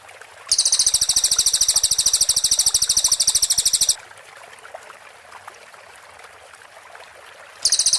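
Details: Cililin singing its close-set shooting phrase, 'tembakan rapat', as a clean training master for white-rumped shamas: one high, machine-gun-fast trill of about three and a half seconds, a four-second silence, then a new burst begins.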